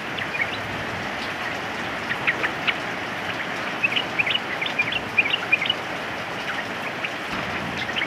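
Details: Yellow-vented bulbul singing during rain: a loose run of short, bright chirped notes bunched in the middle of the recording, over a steady hiss of heavy rainfall.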